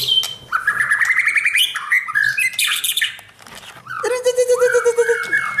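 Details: White-rumped shama, a kept bird being trained for a champion mentality, sings a varied, rapid, nonstop song of rattling trills, bright whistled notes and buzzy phrases, ending with repeated rising-and-falling slurred whistles over a steady low note.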